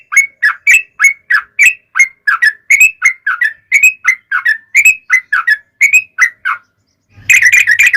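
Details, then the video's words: Yellow-vented bulbul in long, energetic song, played to draw other bulbuls into answering: a steady stream of rapid, gurgling whistled notes, rising and falling. It ends after a short gap in a dense burst of harsher chatter. "trucukan gacor TARUNG ROPEL PANJANG pancingan trucukan agar bunyi JADIKAN burung trucuk gacor NYAUT"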